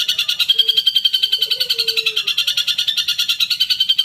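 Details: Harsh, rapid chatter of a long-tailed shrike, meant to stir caged birds to respond and sing. Scratchy notes run quickly and somewhat unevenly, with faint short low whistles in the background.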